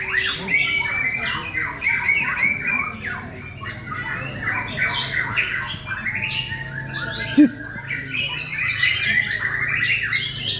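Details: White-rumped shama singing a long run of fast clipped chattering notes and whistles, with a sharp click near the middle and low hum in the background.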